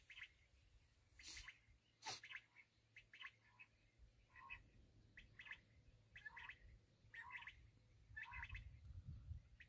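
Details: Black francolin (kala teetar) calls as repeated raspy chirping phrases, some with a lower rising note. Two sharp clicks come early and low rumble runs underneath.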